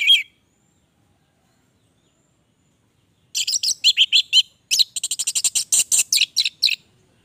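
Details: Orange-headed thrush in full song: a single opening note, a long pause, then dense bursts of rapid, scratchy, high-pitched chips and trills delivered in quick succession.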